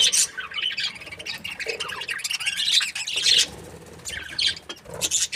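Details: Budgerigar breeding pairs give mixed high chirps, warbled trills and sharp squawks in an uneven, overlapping chatter. Louder bursts stand out about every second or two.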